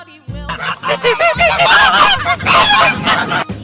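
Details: Geese give a noisy series of overlapping honks for about three seconds, harsh and repeated rapidly, with faint music in the background.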